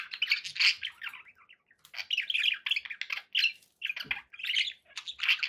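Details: Pet budgerigars chattering, a near-continuous stream of scratchy warbles, chirps and squawks with one short pause midway, kept indoors as companions.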